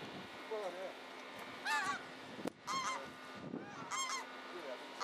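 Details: Greater white-fronted geese at Ingbirchworth Reservoir, South Yorkshire, in January 2017 give high, yelping calls of two or three syllables, overlapping in quick bursts about once a second over a steady background hiss.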